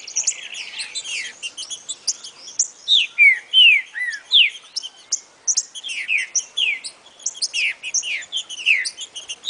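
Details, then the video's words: Song of a rufous-bellied thrush in boca mole style for teaching a young bird: a continuous run of varied chirps and whistled downslurs, some loud clear notes standing out mid-sequence. "TRINCA FERRO PARA TREINAR O SEU FILHOTE NO CANTO BOCA MOLE"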